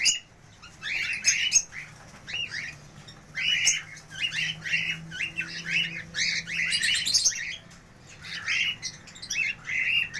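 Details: Cockatiels give harsh, clipped squawks in loose bursts of two to five, with short pauses between groups. Occasional sharper high chirps cut through, and a faint low hum lies underneath.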